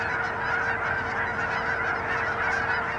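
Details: Thousands of Canada geese on a pond in Hutchinson, Kansas, on January 25, 2011, a bald eagle perched nearby; a dense, unbroken chorus of overlapping nasal honks from the whole flock fills all three seconds at a steady level.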